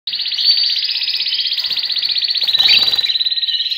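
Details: Canaries singing: one long, unbroken high trill of rapid, evenly pulsed notes that keeps going with barely a pause, slightly louder near the end.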